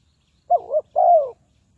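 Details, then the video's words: Spotted dove kept as a trapping lure gives a single two-part coo, a short wavering note followed by a longer, smoother arched note, in silence. "Tekukur Pikat,นกเขาใหญ่สายต่อดิน, Sound Of dove"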